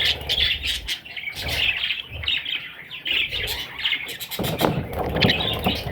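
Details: Young parrots give bursts of shrill, squawky chirps that rise and fall in short runs, with brief gaps between them. A low hum and sharp knocking sounds run underneath.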